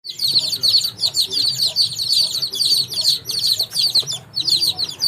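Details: Baby chicks on a farm chirping as a crowd: dense, high, overlapping peeps pour out almost without pause, swelling and dipping in loudness with brief gaps near three and four seconds.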